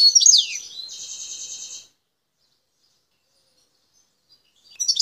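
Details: A wild goldfinch from El Tarf, Algeria, sings: a sharp downslurred twitter, then a steady, rattling high trill for about a second. Long silence follows before chattering notes resume at the end.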